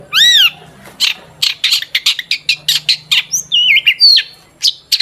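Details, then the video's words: Long-tailed shrike song used as a lure to make other shrikes sing: a loud arched harmonic squeal opens, followed by rapid harsh chattering notes and bright whistled slurs, with a faint low hum beneath. "Burung cendet gacor DOR BUAT PANCINGAN CENDET AGAR BUNYI"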